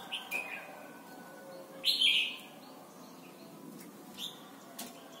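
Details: Red-whiskered bulbul, Thailand, recorded for training young birds to sing: one loud bubbling warbled phrase stands out, with fainter short whistles before and after and scattered soft clicks.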